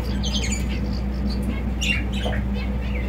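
A Bengalese finch sings a quick, scratchy run of high chirps and buzzy notes, quiet against a steady low electrical hum.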